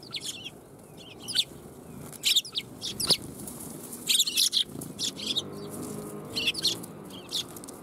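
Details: A flock of sparrows arrives to get food at a Tenmangu shrine on 1 January 2021. Their quick, high chirps tumble over one another in irregular clusters, with a faint low hum underneath.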